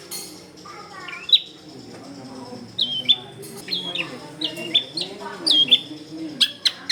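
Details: Long-tailed shrike in lively song, used as a lure for wild shrikes and recorded in a crowded residential area: a series of sharp, sliding whistled notes and short chattering phrases, some dropping in pitch, with faint background hum.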